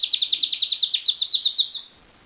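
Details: Pied Timbrado canary, captive-bred, delivering a loud, steady run of about fourteen sharp, high, bell-like notes in under two seconds, fading at the close.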